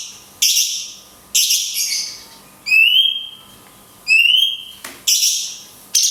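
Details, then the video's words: Cungkok in the 'tembakan kunti panjang' style, recorded to teach other songbirds: loud shrill bursts with pauses between, including two clean whistles that rise and then hold, among scratchy falling notes. "CUNGKOK TEMBAKAN KUNTI PANJANG - JEDA ALAMI"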